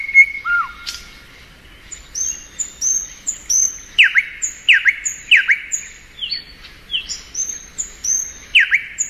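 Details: Thrush nightingale in spring, alternating thin high whistles with loud downward-swooping notes in a steady, varied sequence.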